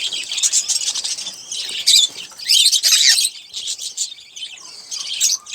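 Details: A pet male olive-throated parakeet is heard while feeding on sunflower seeds and sipping water. Rasping chatter is broken by several sharp, downward-swept squawks near the middle. Softer scratchy noise continues between the louder notes.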